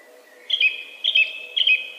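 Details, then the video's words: Song thrush singing: one clear whistled phrase with a bright flourish, repeated three times in quick succession, about half a second apart, over quiet background. "Śpiewak (Turdus philomelos / song thrush)"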